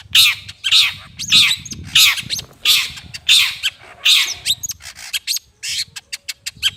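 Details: Long-tailed shrike lure sound: a run of hoarse rasping squawks at about one and a half per second, giving way to a string of sharp dry clicks, over low rumbling background noise.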